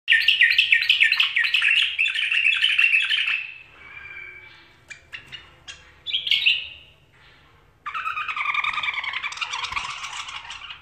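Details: A tame pet bulbul gives bursts of bright, chattering warbled notes, then a brief pause with a few scattered calls before a second lively phrase, in a quiet indoor setting.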